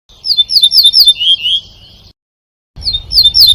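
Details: European goldfinch singing a fast, tinkling twitter of high bright notes and slurred slides, broken by a short silence, then resuming over a low background rumble.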